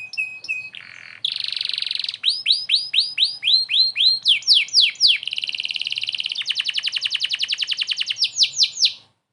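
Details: Canary song offered as tutor material for White-rumped Shamas: loud, continuous high-pitched trills and rapid rolling chirp series, changing pattern every second or two, clean with no other sounds.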